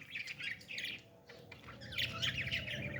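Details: Young parrot being fed, making soft buzzy twittering that fades, pauses, then returns as a busier, squeakier stream.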